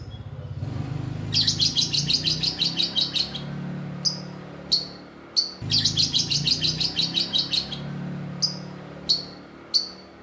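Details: Lovebird aged 2.5 months, calling actively to answer a rival, chattering style: bursts of fast rhythmic harsh chatter lasting two seconds, repeated, separated by sharp single squeaky chirps, over a low indoor hum.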